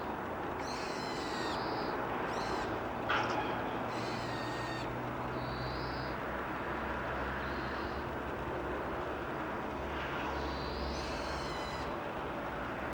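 Daurian redstart giving thin, high whistled call notes every second or two, sometimes with a dry click, over a steady low hum of distant traffic.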